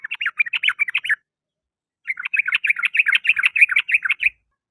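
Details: Sooty-headed bulbul singing in the afternoon, one short and one longer burst of fast, bubbling, chattered notes on a quiet background.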